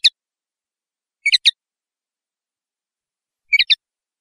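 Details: Sparse linnet song fragments, a lone chirp followed by two brief clusters of two or three sharp twittering notes separated by long silent pauses.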